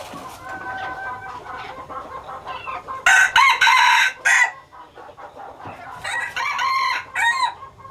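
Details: A captive hybrid red junglefowl breeder rooster of Laos strain crows loudly in a clipped two-part phrase, followed a few seconds later by a softer second crow, over a steady murmur of clucking.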